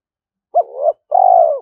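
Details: Luring call of a spotted dove for attracting wild doves to a trap: a quick hooked note slides into a wavering coo, then after a short break comes a long, level, pulsing coo that fades downward. No other sounds.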